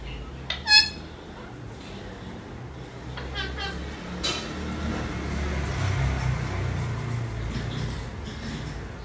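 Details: A male ringneck parrot from a breeding pair gives his mating call: one sharp, harsh squawk early on, then a few softer chattering notes over a low indoor hum and faint voices.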